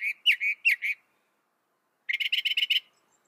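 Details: Northern mockingbird giving five slurred, warbled notes, then after a one-second pause a fast series of about eight short, clipped notes.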